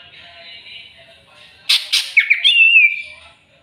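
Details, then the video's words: Greater green leafbird seeking a rival: faint hum, then harsh broadband rasping bursts followed by a short whistled, slurred note that dips and levels off, all within about two seconds. "CUCAK IJO CARI LAWAN!!!bikin cucak ijo emosi"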